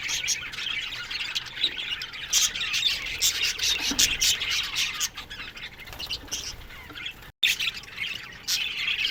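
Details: Australian budgie colony in an aviary, loud bursts of chirps and squawks from many birds rising and falling, with a brief cut to silence near the end.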